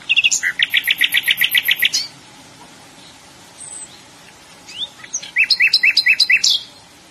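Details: Nightingale song: loud rapid trills of repeated pulses around two to four thousand cycles and very high buzzy notes, then a quiet pause with soft notes, followed by another fast repeated trill phrase.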